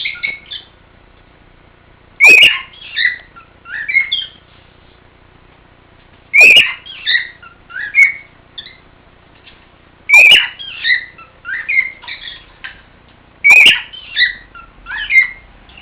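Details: Male cockatiel sings to a female cockatiel: a repeated phrase of bright whistles and chirps, restarting about every four seconds.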